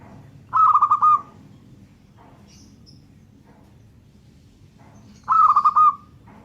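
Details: Two vibrating, staccato coo phrases from a local zebra dove, several seconds apart, over a steady low rumbling background noise.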